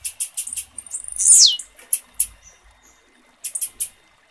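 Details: Call of a female blue-black grassquit, used to stimulate the male's singing: rapid very high clicking chips, then a loud shrill note sweeping steeply downward, followed by further short chip bursts.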